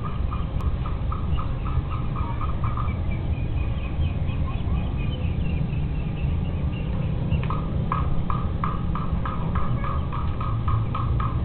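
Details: A family of domesticated Muscovy ducks (mentok) in Indonesia gives runs of short, clipped notes in quick series, busiest at the start and again after the midpoint, with a constant strong low-pitched rumble beneath.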